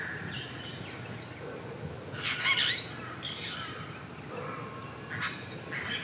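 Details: Apostlebirds (Struthidea cinerea) at their mud nest give harsh, scratchy squawks in short bursts with a few higher chirps, over steady outdoor hiss; Carnarvon Gorge, Queensland, Australia, 22 July 2019, 07:25 in the morning.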